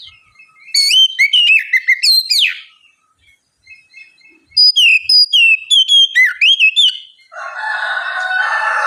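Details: Oriental magpie-robin giving relaxed 'ngeplong' song as a lure to prompt a bird that is slow to sing. Rolling whistled phrases come in two runs split by a short silence, then a broad hissing rasp at the end.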